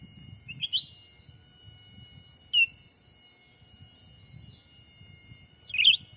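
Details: Black-capped bulbul lure call used to attract wild birds in Sumatra's forest: three widely spaced chirps, short and whistled, the last a rapid jumbled flourish, over soft low rustling.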